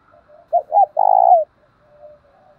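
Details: Spotted dove used as a decoy to provoke and lure wild doves, singing in the 'thổ đồng' voice style; a single phrase of two short rising coos followed by one long, steady, slightly falling coo, with near silence around it.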